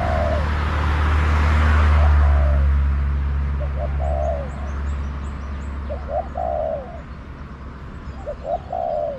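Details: A wild spotted dove calling back to a decoy bird in a garden, delivering three evenly spaced low cooing phrases, each short notes leading into a longer rough coo that sinks, with small birds twittering high above and a low rumble early on.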